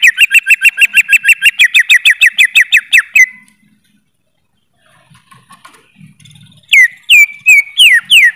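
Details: Greater green leafbird singing a long, even trill of short notes, about five per second, for three seconds; after a quiet gap it returns with several loud, swooping down-slurred whistles.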